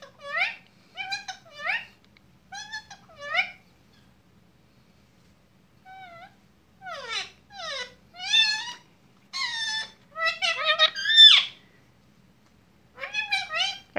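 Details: Lutino rose-ringed parakeet kept as a pet, talking indoors: bursts of rich, harmonic chattering syllables with rising and falling inflections, grouped into short phrases separated by quiet pauses, busiest and loudest around the eleventh second.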